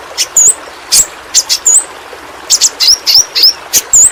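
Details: Yellow-rumped flowerpecker from Kalimantan, kept as a tutor bird for pets: evenly spaced high, sharp chip notes, some with a short upward flick, about a dozen across a few seconds.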